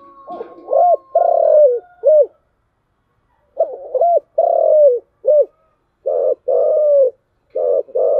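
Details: Spotted dove coo phrases in the 'giọng thổ chiêu gù' style, repeated with gaps: each phrase is a low, rough introduction, then a sustained mellow coo and a short clipped note. A faint thin tone sounds in the first two seconds.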